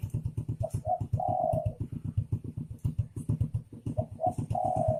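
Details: Male and female spotted doves cooing: two phrases of short double notes leading into a long sustained coo, with a loud, rapidly pulsing low mechanical throb running underneath throughout.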